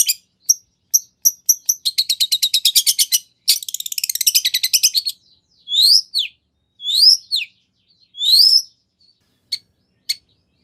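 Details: Gacor long-tailed shrike song rich in 'nagen' fillings, used to bait another shrike into replying: a fast staccato trill, a grinding rattle, then three drawn-out buzzy swooping notes and scattered single clicks.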